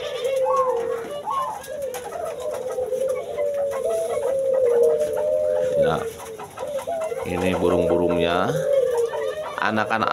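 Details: Spotted dove cooing in low, soft, rolling tones almost without pause at a breeding aviary in Cibitung, Bekasi, West Java, on a windy late afternoon when the birds start calling, with other doves calling and a man talking over the latter part.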